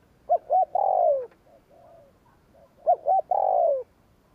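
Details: Spotted dove "gù kích" call: two quick hooked notes then a long falling coo, given twice, with a softer faint coo between the phrases.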